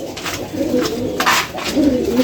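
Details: Cooing of a pigeon said to be seven years old, indoors in a small room: low, soft coos in short bursts over steady background noise.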